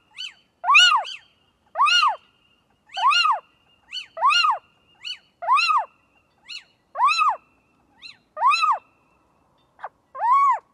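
A little owl gives loud, nasal, mewing 'kiew' calls that rise and fall, about one every second, with a few shorter clipped notes between them.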